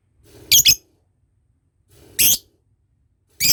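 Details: Lovebird, from a lure recording meant to teach the ngekek trill, giving three harsh, broadband squawks, each short and loud, separated by a second or more of silence.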